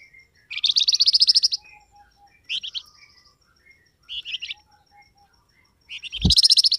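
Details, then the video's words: Flamboyan bird call used to coax wild birds into calling back: repeated bursts of rapid, high, ringing notes with short gaps. A low thump sounds near the end. "SUARA BURUNG FLAMBOYAN, DIJAMIN LANGSUNG NYAUT BUNYI"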